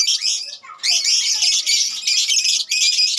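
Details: Lovebirds in a colony give loud, shrill, rasping squawks and chirps in overlapping bursts, separated by two short pauses, many birds calling at once.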